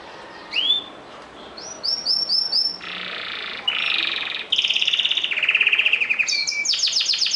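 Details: Canary song built from separate tours: a rising whistle, a row of short upslurred notes, buzzy flat passages, then fast high rolling trills.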